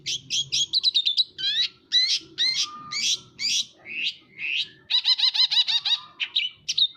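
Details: Lively long-tailed shrike song: fast strings of sharp whistled chips, slurred downward notes and harsh buzzy phrases, then a quick trilled burst of repeated notes near the end, all loud and continuous.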